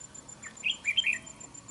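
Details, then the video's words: Red-whiskered bulbul used for trapping: one quick lilting phrase of four or five warbled, up-and-down notes, loud and clear over a faint constant high tone. "Bẫy Đấu Chào Mào. Cầu Mỏ Cực Tốt . Đấu Găm. Giọng Hay .Cực Gấu"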